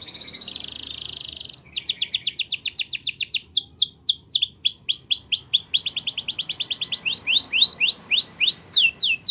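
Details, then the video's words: Waterslager canary training song alternating buzzy rolled trills with runs of steep, rapidly repeated falling whistles and softer hooked notes. "Waterslager Canary training Songs"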